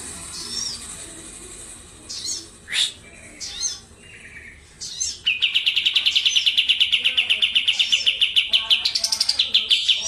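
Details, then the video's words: Kapas tembak white-eye from Medan, recorded on a Tuesday in June 2025, in full song. Scattered high chirps and short whistles lead into a fast, loud rolling trill of rapidly repeated high notes lasting about five seconds. "KAPAS TEMBAK MEDAN GACOR ISIAN SUARA PEDAS NGEROLL SPEED NEMBAK EDAN LEPAS TROTOL"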